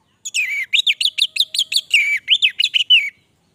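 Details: A steady three-second phrase from an orange-headed thrush, a quick series of about fifteen clear whistled notes, each bending up then down, evenly spaced and bright.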